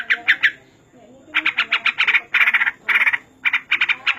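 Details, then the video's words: Trucuk (yellow-vented bulbul) sound used as master material for training other birds: bursts of harsh, rapid chattering notes in clusters of three to six, separated by short pauses. "Masteran burung trucuk paling banyak digunakan"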